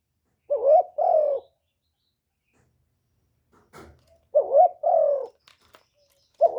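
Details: Decoy spotted dove giving 'one-ending' style coos meant to provoke wild doves: paired mellow coos, a short rising note then a longer falling one, repeated after a long pause, with a faint knock between.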